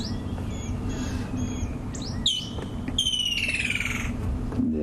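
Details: Kingfishers calling overhead at a waterhole on a January 3 sunrise safari drive, giving high, sharp whistled notes, then a fast descending trill, over a low vehicle engine rumble.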